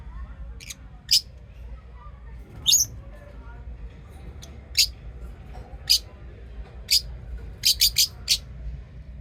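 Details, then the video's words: Pet lovebirds making thin, high chirps spaced a second or so apart, with a quick triple near the end, over a low humming background. "Love birds chirping sound and singing sound"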